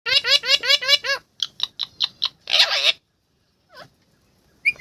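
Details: Parrot talking: a rapid run of about six bright, harmonic, laugh-like syllables, then shorter choppy bursts, a harsh rasping phrase, a brief pause, and a faint sliding note before a final sharp squawk.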